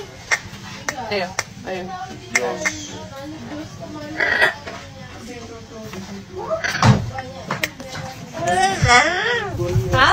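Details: A pet black-capped lory that talks and sings chatters in speech-like phrases, breaking into rising and falling whistled notes near the end, over a soft room background.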